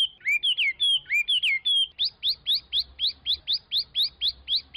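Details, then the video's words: Chinese hwamei starts with looping slurred whistles and high held notes, then switches to a fast series of identical rising notes, about four per second. "ساعه من تغريد طائر الخوامي Chinese Hwamei"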